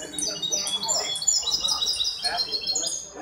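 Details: At a singing competition on 23 May 2021, a hybrid goldfinch delivers bright, high-pitched tinkling phrases of quick repeated notes and short trills, almost continuous, with faint background noise.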